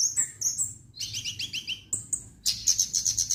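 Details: Orange-headed thrush, locally called kemade, singing energetically: high, sharp chirps, then a quick run of about six squeaky, warbled notes, a brief whistle, and a fast rattling series of bright notes at the end.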